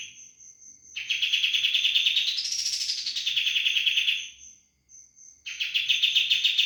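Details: Sooty-headed bulbul singing a loud 'roll bren' phrase: a sustained, fast-pulsed buzzy trill that climbs into a brighter peak midway, then settles and stops briefly before another roll begins; a faint high pulsing tone runs through the pause.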